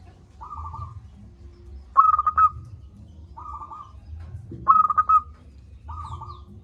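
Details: Local zebra dove with a loud voice, singing steadily: short staccato cooing phrases near one pitch, alternating a softer trilled phrase with a louder, sharper pulsed one roughly every 1.3 seconds, over a low background rumble.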